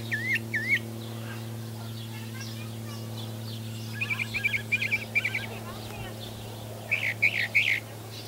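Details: Northern mockingbird song, recorded on a Nikon V1 camera: a short wavering whistle, a pause, then bursts of rapid twittering notes in varied phrases, with a constant low hum in the background.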